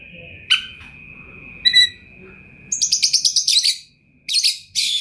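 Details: Champion Oriental magpie-robin (kacer) in full, rich song: scattered bright whistled notes over a steady high tone, then rapid buzzy chattering bursts and harsh trills, with faint low rumbling in the background.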